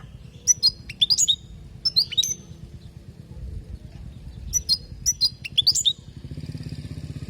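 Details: European goldfinch from Palestine singing a tutoring song for teaching young goldfinches: two bursts of high, liquid twittered notes with quick upward and downward swoops, separated by a pause, over a faint low hum.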